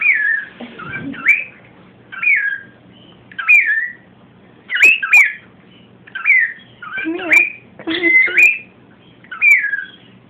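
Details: Pet cockatiel repeating "come here" to baby cockatiels: about ten short, curling whistled phrases roughly a second apart, some with harsher squawky edges, plus a few soft low background sounds.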